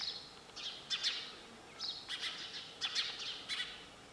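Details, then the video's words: Sparrow chirps arriving in short, sharp clusters of high tweets, spaced under a second apart, with brief quiet gaps between volleys. "Sound of sparrow bird"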